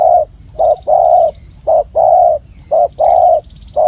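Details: Spotted dove (tekukur), clear voice, training recording: loud low coos in quick succession, short notes paired with longer drawn-out ones, evenly spaced, with faint hiss underneath.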